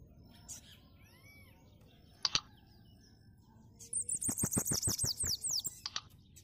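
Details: Bananaquit singing a lot: after quiet faint background, a rapid series of very high, thin, sibilant, descending slurred notes lasts about two seconds, accompanied by sharp, repeated, clicking beats, over a low steady background hum.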